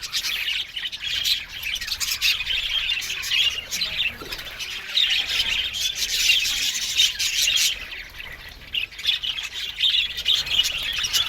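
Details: Budgie colony in an aviary chattering in dense high warbles and squawks, coming in waves with a brief softer pause midway.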